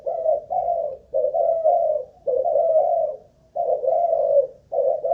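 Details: Caged decoy spotted dove, Malaysian line, keeps up its cooing: smooth low coos joined into long drawn phrases of two or three notes, each separated by a short silence.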